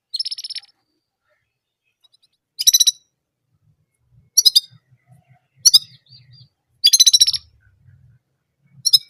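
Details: Orange German canary singing one repeated sound: short clusters of sharp, high chirps every second or two, one longer bright trill near the end, with soft low thumps and rustling underneath.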